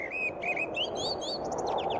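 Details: A Common Blackbird in a windy German forest in spring sings a short phrase: a clear fluted note, then quick, high, squeaky twittering notes, over a steady background hiss.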